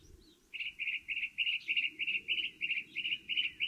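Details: From the top of a stove pipe, a northern mockingbird repeats a bright chattering note about four times a second in a steady, even run.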